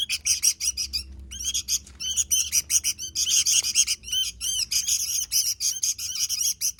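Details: Sooty-headed bulbul singing energetically in 'gacor' style: rapid, high-pitched twittering and sharp chirps running almost without break, a short lull just after the first second, then steady dense chatter.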